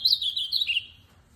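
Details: Short burst from an ultramarine grosbeak of the tournament type: under a second of clear, warbled whistles that step downward and then fade out.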